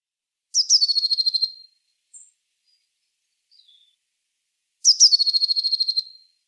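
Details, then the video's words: Eurasian blue tit song: two phrases, each opening with one or two high thin notes that slide into a fast, even trill on one pitch, lasting about a second, with faint short notes between them; no other sounds. "chant de la mésange bleu"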